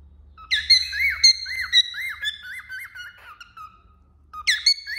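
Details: Cockatiel perched on a finger, opening with a sharp rising whistle, then a series of looping arched notes that gradually drop in pitch and fade before another bright rising whistle.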